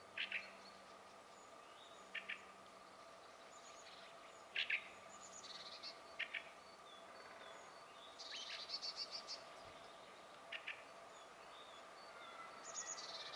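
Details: Fieldfare song captured on a Sony HDR-PJ10E camcorder: brief harsh squeaks and chuckling notes at irregular intervals, including one longer scratchy phrase, faint against constant background noise.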